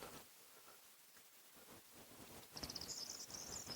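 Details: In Poland in February 2024, near nest boxes set away from buildings, a corn bunting gives its high, dry, jangling song, like a rattle of keys, with another heard calling back, over steady wind hiss and distant noise.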